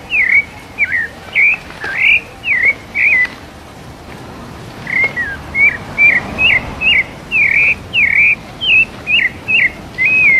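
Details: Rufous-bellied thrush, São Paulo type, singing the 'mateiro' song style live in the wild: short whistled, slurred phrases repeated about twice a second in bursts, with a pause midway, over a steady low background hiss.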